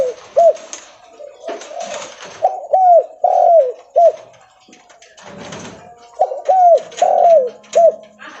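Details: Loud Leopard-type spotted dove cooing as it walks: soft, hollow coo notes in two rolling phrases, each note slurring down, broken by a quieter gap filled with clicks, rustling and a faint hum.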